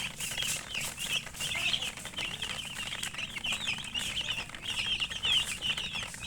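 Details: A crowd of chicken chicks chirping without pause, shrill quavering peeps tumbling over one another in a dense high chorus, with scattered clicking and scuffling noises.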